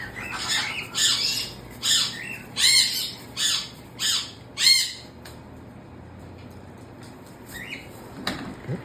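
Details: Pet cockatoo, said to say hi dad and no when its radio is touched, lets out a run of about seven harsh, raspy squawks roughly every 0.6 seconds, then falls quiet with faint clicks and rustles.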